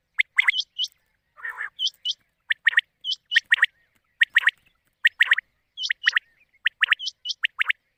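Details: Quail call played as a night hunting lure for the monsoon (Sawan) season: rapid clusters of short, sharp, chirping notes with hooked high whistles, repeated irregularly about once a second, one lower rasping burst near the start.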